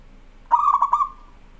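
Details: Local zebra dove in full voice, kept for tutoring young birds: a short cooing phrase, a few quick pulsed notes at a steady mid pitch that run into a smooth held tone lasting under a second, with quiet background.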